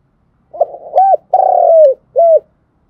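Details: Spotted dove cooing as a trapping lure, a repeated three-part phrase: hesitant opening notes and an arched coo, a sustained pulsing coo easing downward, then a short rounded ending note; faint clicks.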